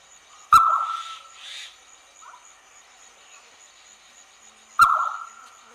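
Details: Indian scops owl at night near Sikar, Rajasthan, India, 7 April 2020: two strong, short, flat-pitched notes about four seconds apart, each starting with a sharp click, with softer breathy sounds and a steady high hum behind.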